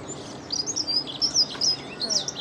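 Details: A dunnock sings close up beside the Long Water: a fast, thin, high warbling phrase of jumbled squeaky notes running for about two seconds, over faint background hiss.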